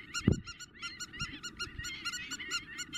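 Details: Spur-winged lapwings in Greece in April 2023 give an intense, rapid, harsh, ringing string of strident notes, several per second and partly overlapping, over low thumps of wind or handling.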